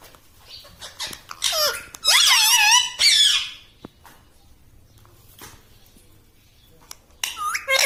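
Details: Pet talking parrot indoors in a small room, known for saying 'mitthu mitthu' and 'mummy': bursts of high, squeaky, warbling harmonic vocalizations around two seconds in, a long quiet gap with faint clicks, then another short squeaky phrase near the end.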